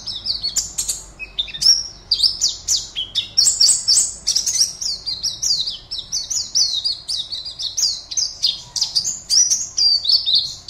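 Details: Competition Oriental white-eye, a caged bird from Pontianak, West Kalimantan, pours out a long, fast, continuous stream of high, sharp chirps and short downslurred whistles, densely packed without pause.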